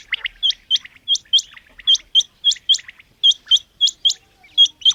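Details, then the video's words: Female common quail calling: short, sharp, high chirps repeated in quick, slightly uneven succession, about eighteen notes in five seconds, often in close pairs, with a clean quiet background. "Batair Ki Awaz| Common Quail Calling|Female Batair"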